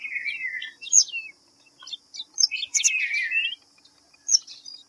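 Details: A white-browed fantail utters a few high, descending whistled notes, a pause, then a louder jumbled burst of squeaky chirps and one last short call.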